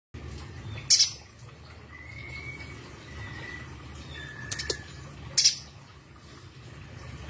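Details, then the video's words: Spiderhunter (pijantung gunung) in a training recording for songbirds: two loud, sharp, very high triple-note bursts about four seconds apart. Faint thin whistles sit between them over a steady low hum. "PIJANTUNG GUNUNG GACOR_FULL TEMBAK TAJAM‼️"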